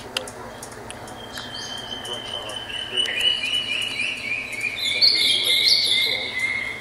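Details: Juvenile crested partridge calling: a thin, high whistled tone gliding slowly downward, joined in the second half by bursts of sharp, high chirps and twitters over a faint background hiss.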